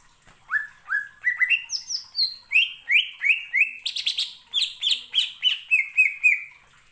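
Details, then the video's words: Greater green leafbird song that stirs rival leafbirds to sing along. A continuous stream of bright slurred whistles steps downward in pitch, with buzzy high notes mixed in, about three or four notes per second for nearly seven seconds. "BIKIN CUCAK IJO LAIN TERPANCING EMOSI & IKUT BUNYI"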